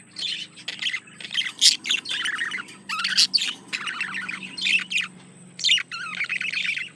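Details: Male budgie courting a female in captivity: lively run of rapid chirps, buzzy rasps and high squeaks in close bursts about every second, with a faint continuous high whine and low hum behind.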